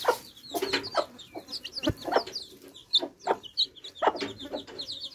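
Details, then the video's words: Thirsty baby chicks quench their thirst with fresh water, calling in high, short, downward peeps while frequent broad clicks and knocks punctuate the chorus. "Thirsty Chicks Quenching Thirst With Fresh Water Baby Chicks Relaxing Sound"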